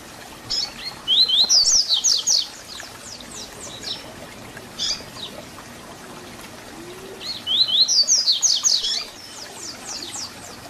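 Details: A double-collared seedeater sings its Tui Tui Zel Zel fibra teaching song. Two similar phrases of quick, high, down-slurred whistles come about six seconds apart, with a few single chirps between them.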